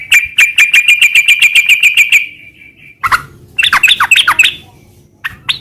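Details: Sooty-headed bulbul singing ngeropel: a fast, even trill of bright repeated notes for two seconds, then a short silence and a jumbled burst of falling slurred phrases.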